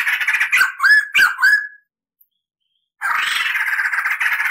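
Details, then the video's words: White-crested laughingthrush on a tutor recording of lively song with long rolls: harsh buzzy chatter with several downslurred whistled notes, a brief silence, then a dense continuous scratchy chatter. "SUARA MASTERAN POKSAY JAMBUL GACOR NGEROL"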